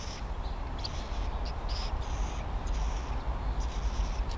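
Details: Scrub jay pair at their nest in 2017, raising three chicks in the same tree used before. Short, harsh, raspy high calls come in scattered bursts over a steady low rumble of wind or distant traffic.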